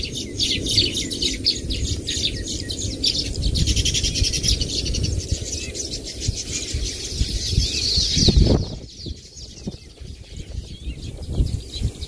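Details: Baya weaver birds calling: a dense, continuous chatter of quick, high, buzzy chirps over a steady low rumble. After about eight seconds the chatter stops abruptly, and only scattered softer sounds follow.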